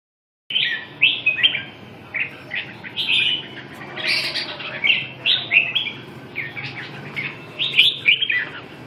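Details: Red-whiskered bulbul singing a run of short whistled phrases, each a quick rising-then-falling slurred note, delivered in a steady, lively series.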